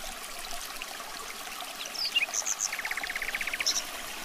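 A nightingale sings a few high, pure whistles, then a fast run of about ten identical repeated notes, over the steady rush of flowing water.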